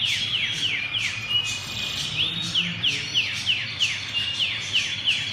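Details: Canary singing in a distinctive style: quick, bright descending slurred notes repeated about three times a second, with short level whistles between rapid runs and a faint low hum underneath.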